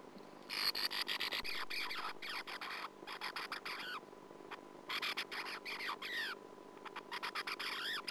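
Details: Sand martin at its nest, 2009 nest camera: loud bursts of twittering, chirping notes with quick downward and upward sweeps, in groups separated by short pauses, over a low hum.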